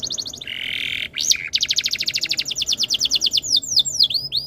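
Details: Canary singing a tutor song meant to make other canaries sing along: rapid trills of repeated high notes, a low buzzy rattle, then fast sweeping whistled notes repeated in series.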